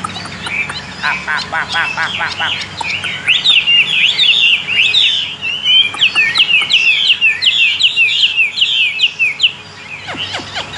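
A Chinese hwamei sings a loud, rich run of rapid whistled phrases, slurred up and down and tumbling almost without pause.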